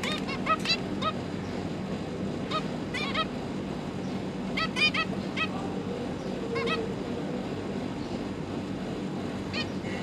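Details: Zebra finch parents feeding their three fledgling juveniles, recorded 31 October 2022; scattered short nasal beeping calls, singly and in small clusters, over steady low background noise.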